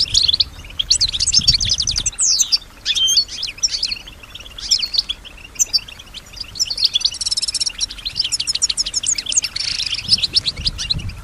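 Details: European goldfinch, a female, singing and imitating surrounding sounds; rapid tinkling, twittering phrases mixed with buzzy trills and sliding whistles in bursts, pausing briefly near two seconds, with faint low rumbling in the background.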